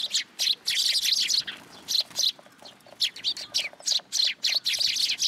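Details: Sparrows coming to be fed at a Tenmangu shrine, 10 July 2022. Loud, harsh chirps from several close birds run together in clusters, separated by brief pauses.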